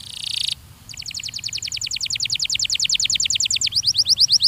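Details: Belgian canary in a training recording, opening with a short hiss-like burst, then a long evenly repeated trill of sharp high notes that shifts to a faster double-note pattern.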